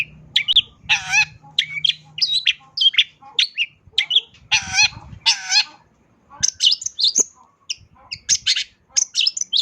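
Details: Long-tailed shrike in energetic full song packed with mimicked fill-ins: quick chirps and whistled notes, then loud harsh buzzy bursts, more high sharp chips after a short pause; faint low hum beneath.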